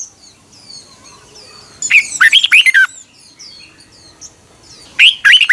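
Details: Red-whiskered bulbul singing in the morning in 2021, a fiery full-voiced lure song for training other bulbuls: two bursts of five or six loud, slurred whistled notes rising and falling, about three seconds apart, with faint chirps from other birds between.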